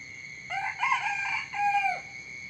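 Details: A rooster crows at dawn: a clear rising start, a rough middle stretch, and a long held final note that slides downward, about one and a half seconds in all, with a steady faint high tone behind.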